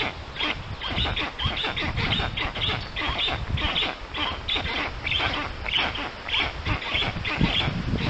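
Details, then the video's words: Nest of the black stork in Poland's Puszcza Notecka forest, 13 June 2019, during an unfamiliar adult's visit to the chicks; a steady series of hoarse, grating notes, close together, with low-frequency rumble beneath. "Strange BS visit the sorklets"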